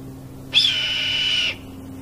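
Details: A Red-tailed hawk in Delta on 31 January 2018 gives one hoarse, high scream lasting about a second, steady then slightly falling at the end, over a faint low hum.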